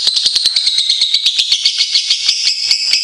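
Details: A tutor recording of lovebirds: a piercing, high continuous twitter with regular pulsing beats and a bright whistled band running through it.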